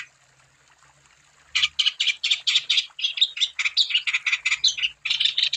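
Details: Wambi bird singing as a lure for other wambi. About a second and a half of near silence, then a steady stream of rapid, scratchy chirping notes, each burst tightly clustered and repeated without a break.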